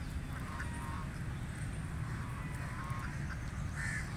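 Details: Call duck quacking while feeding in water: a few brief nasal quacks near the start and one louder quack near the end, against constant low-pitched background noise.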